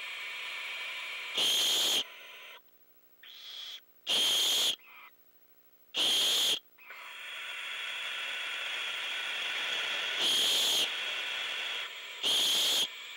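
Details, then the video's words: Owlets awaiting a prey delivery at night as an adult owl lets out repeated long, loud defensive hisses, perhaps over an interloper; five harsh rushing bursts about two seconds apart over a constant high hissing from the young. "Defensive Hiss"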